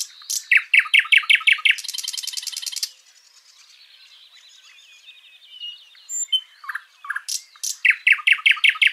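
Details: Backyard birdsong from Washington State: a run of loud down-slurred notes and a harsh buzzing trill. Faint high whistles and calls follow, then the bright repeated-note series returns.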